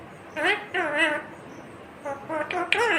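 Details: Talking ringneck parakeet utters two short, harmonic, speech-like phrases with wavering pitch, separated by a second of quiet.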